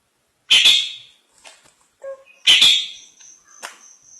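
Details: Long-tailed shrike singing: two loud, harsh, rasping bursts about two seconds apart, with softer scratchy notes between and a thin, high, steady whistled note trailing after the second burst.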